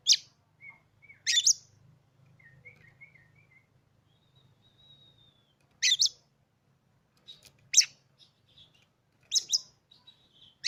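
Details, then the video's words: Caged Oriental magpie-robin, recently adopted, gives scattered loud, harsh notes several seconds apart with soft chattering between them, over a faint low hum. "hanya hitungan detik kacer kamu pasti langsung gacor"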